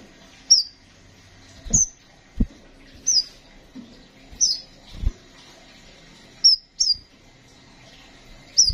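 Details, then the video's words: Thin, sharp chirps from a kolibri ninja sunbird, each a quick downward flick, repeated every one to two seconds alongside dull low thuds. "Burung Kolibri Sepah Raja gacor"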